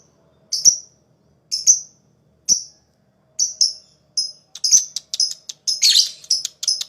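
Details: Lovebird, a stimulus for 'ngekek' chattering: sharp high chirps start about a second apart, then speed up into a denser run with a rough squawk mixed in.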